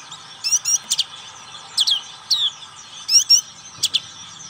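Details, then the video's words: Black-capped white-eye, ngriwik song style: short bright chips and falling slurred whistles in small clusters, with brief pauses between them and a steady background hum. "Pleci black capped ngriwik"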